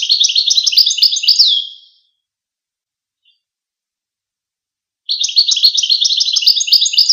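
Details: Goldfinch song: a rapid, continuous tinkling twitter of high notes for about two seconds, a pause of three seconds, then the dense twittering resumes.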